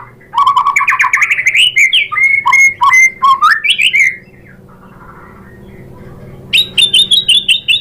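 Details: Lure song of a white-rumped shama, meant to make others sing and show off their imitations: rapid stuttering whistled notes climbing in pitch, slurred fluty phrases, a quiet gap, then a series of sharp repeated high chips.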